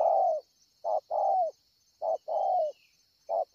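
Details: Cooing spotted dove at Ngọc Hồi on 25 March 2020: a low hollow coo ending, then repeated pairs of a brief note and a longer falling coo, with a thin insect buzz throughout.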